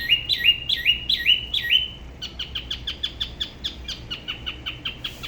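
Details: Spot-throated babbler of Dalat, by the La Ba river in Vietnam, in solo song of a distinct local style: rising whistles repeated in a quick series, then a long run of short, crisp notes about three per second.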